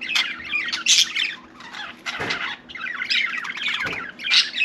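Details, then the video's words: Budgerigar kept indoors as a pet, letting out loud squawks and bubbling warbled chatter with high sharp chirps, plus a couple of soft thumps. "Budgie Sally Bird Wants to Talk"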